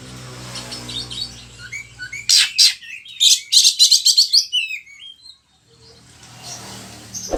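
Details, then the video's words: Gacor kacer, or oriental magpie-robin, singing its varied filler repertoire as a lure and tutor song for other kacer in Indonesia; faint background whistles give way to a loud run of rapid sharp chattering notes, then quieter twitters. "Pancingan suara kacer gacor, bongkar isian burung"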